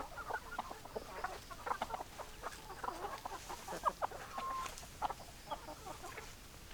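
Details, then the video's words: Hens and roosters clucking together, a busy overlapping chatter of short clucks from several birds, with brief louder squawks scattered through and a constant rustling background. "Chicken Sounds Noises Hens Clucking Roosters Crowing"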